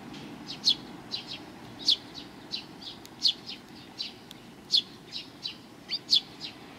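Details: Several sparrows gather for food along a Tenmangu shrine's front path on 29 May 2020, giving a loose scatter of high, clipped, downward-slurring chirps, some loud and near, others fainter, with irregular spacing.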